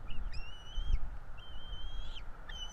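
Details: Bald eagle chicks begging during a feeding at a nest in Florida, two young with both parents, 5 April 2022; three long, thin, high whistles, each held steady then dropping, over a low rumble of wind.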